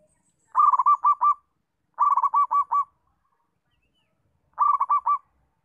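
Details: Local zebra dove giving a settled song used to train other doves: three clean cooing phrases, each a quick run of about five rolling, bubbling notes, spaced roughly two seconds apart over silence.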